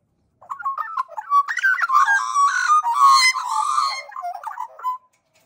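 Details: A pair of Australian magpies from a family that is regularly fed carol as a duet, in rich, flute-like warbles that rise and fall for about four seconds with overlapping gurgling phrases.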